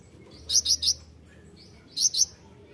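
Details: Kolibri ninja sunbird, recorded as a training master, giving a quick set of three shrill high chirps, a pause, then two more, with a low faint hum underneath.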